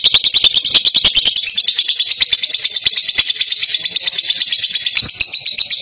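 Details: Female lutino fighter lovebird in long chattering trill, loud and close: rapid clicks blend into a continuous shrill, buzzy warble, with a few stronger snaps standing out.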